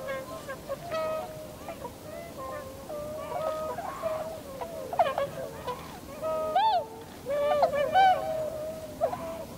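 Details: Wintering flock of Tundra swans, Cygnus columbianus, filmed 7 February 2015 in Japan while gathering, landing and flying in V formation; overlapping nasal, honking calls with harmonic bands, steady and clustered, from many birds at once.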